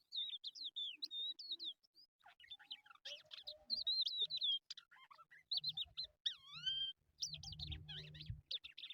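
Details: Crested lark, locally called jal, in a recording used for trapping: varied high whistled phrases, rapid wavering notes and downward-slurred whistles in quick succession, with low thumping noise near the end.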